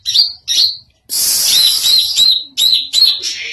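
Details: Greater green leafbird with an unusual song: two sharp high chirps, then a long harsh, hissing buzzy phrase with chirped notes in it, ending in further bright chirps.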